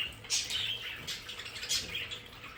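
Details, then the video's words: Pet budgerigars in their home play area; a few bright, scratchy chirps rise and fall in quick bursts, spaced about half a second apart, over a soft hiss. "Sonidos de periquitos Australianos"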